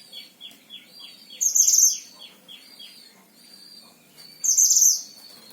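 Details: Caged oriental white-eye in Sragen, Central Java, Indonesia: a series of short descending chips, then two loud bursts of high rapid twittering about three seconds apart, a thin whistled note between them.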